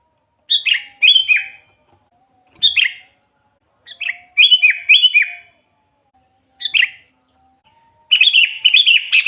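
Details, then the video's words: Lively song of a sooty-headed bulbul, played to draw in wild bulbuls: short bursts of two or three rich, bubbly warbled notes separated by gaps of about a second, ending in a longer run of chattering phrases; faint constant high hiss. "suara burung kutilang gacor full buat pancingan kutilang pikat"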